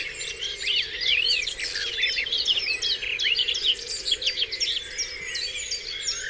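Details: A crowded dawn chorus on Dewlands Common: rising and falling whistled notes and fast twittering from numerous birds, continuous throughout, with a faint low hum behind.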